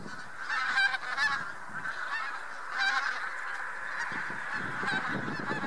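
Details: Massed Bean Geese and some White-fronted Geese on spring passage at Lubiń near Trzemeszno, Poland, March 2018: a steady background of honking, with sharper, louder individual honks standing out near 1 and 3 seconds.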